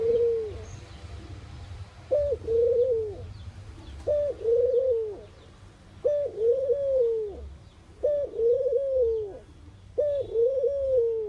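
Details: Mourning dove cooing: soft, low, hooting phrases, each opening with a short rising note and sliding into a longer, wavering falling coo, repeated about every two seconds, five full phrases in all, over a faint low rumble.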